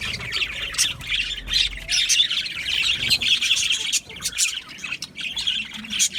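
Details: Budgerigars chirping as a flock: dense, overlapping high warbles and squawky chatter run without pause, with short scratchy notes scattered through the chorus.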